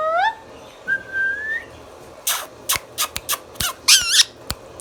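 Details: Indian ringneck parakeet kept as a pet and known for talking: two rising whistles open the recording. A long clear whistle follows, then a quick series of harsh scratchy squawks and twangy rising notes.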